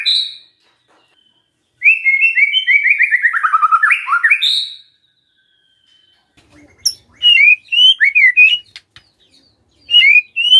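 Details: White-rumped shama lure song to prompt other shamas to sing: a quick descending chattering run, a long pause, then sharp high notes and short bouncing whistled phrases.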